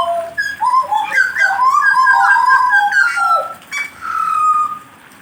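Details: Warming-up song of a jagal blorok: a rapid tangle of whistled, bending notes building in loudness, ending with a long level whistle.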